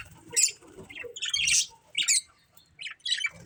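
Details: Budgerigar breeding pair calling in separate short bursts: harsh squawky chirps and brief buzzy notes spaced irregularly, roughly one burst every second or two, with quiet gaps between.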